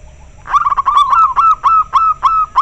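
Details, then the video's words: Very clear local zebra dove replying to another bird: a loud, close, rapid run of ringing, beaded coo notes, evenly repeated and slightly rising and falling, continuing without pause. "Suara perkutut lokal sangat jernih - denger suara nya pada respon nyaut"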